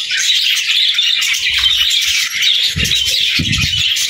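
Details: Budgerigars chattering in song, bright buzzy warbles and short whistled notes running on without a break, with soft low thuds toward the end.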